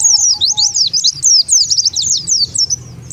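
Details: Lure call of the Oriental white-eye, played to draw wild birds together: a continuous stream of very high, quick sweeping chirps, tumbling up and down without a break.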